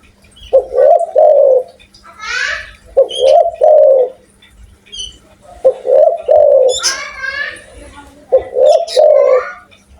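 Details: Lively loud Spotted dove from Indonesia cooing in four low phrases, each of two or three coos, while other birds add quick descending trills and high chirps between them.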